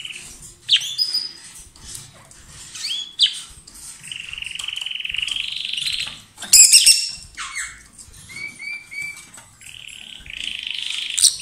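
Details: Two pet lovebirds, a pair kissing and exchanging food, chatter loudly with long buzzy notes, sharp squeaks and quick repeated chirps in near-continuous sequence.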